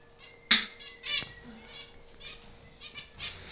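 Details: Zebra finches in a breeding aviary give short nasal harmonic calls, several birds overlapping, with a loud sharp knock near the start, wing flutters and a steady low electrical hum underneath.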